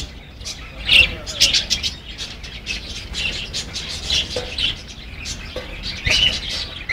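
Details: Baby parakeet chirping, recorded on a mobile phone: scattered short high chirps and twitters with a few louder bursts near the start and end, over a low background hum.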